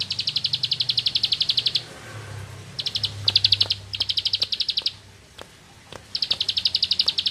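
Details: Bar-winged prinia (ciblek sawah) in rapid 'ngebren' song: several bursts of quick, high-pitched chirping trills separated by pauses, with a low humming sound in the background.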